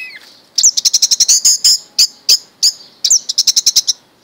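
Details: Captive orange-headed thrush raised from a chick, in 'mabok' song: rapid rattling series of high, sharp chirps, some evenly repeated, broken by brief pauses, with no other sounds.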